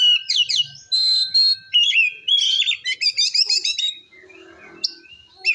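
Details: Oriental magpie-robin giving continuous ngeplong song to goad rival magpie-robins: bright whistles and quick chirped phrases, a brief trill, then softer scratchy sounds and a few sharp notes.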